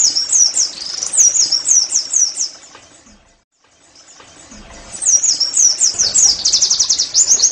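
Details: Oriental white-eye 'nembak' song used to get caged pleci singing: a high, hurried series of slurred chirps, a silent pause of about two seconds, then the rapid, twittering chirps resume and quicken.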